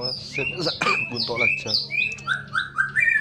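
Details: White-rumped shama singing its pastol-style song in the morning, used to spur a young shama into full song: clear whistled notes, several rising and several falling, rapid chattery bursts between them, over a steady low hum.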